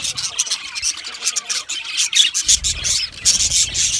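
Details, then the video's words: Budgie singing made of high scratchy warbles and thin chirps, broken into short bursts with small gaps, growing busier and louder in the second half. "Budgie singing and chirping sounds"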